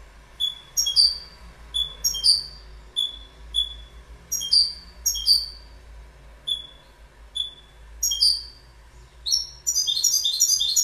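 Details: Goldfinch: short high twittering notes in bursts, repeated chirps and trills with quick rising inflections, ending in a denser rapid twitter; quiet low hum underneath.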